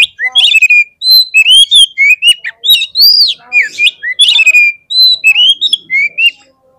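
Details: Oriental magpie-robin in full song to provoke fighting birds: an unbroken series of loud, varied whistled phrases, arching and sliding notes with brief harsh chatters, repeated with little pause.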